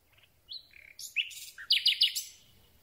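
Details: Common Nightingale singing at night, recorded from very close with a microphone on a telescopic boom: a varied phrase of rising whistles, buzzy high notes and a quick run of three sharp repeated chirps.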